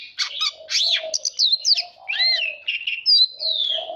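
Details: White-rumped shama song for training and stimulating fighting song: loud whistled phrases and chattering bursts, a pair of rich descending slurs in the middle, ending in a long drawn whistle.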